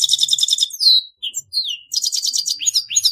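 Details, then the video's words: Grey-headed goldfinch with a fast twittering trill, followed by sweet slurred whistles, a falling note and a renewed burst of rapid, tumbling chirps. "Щегол седоголовый (Carduelis caniceps)"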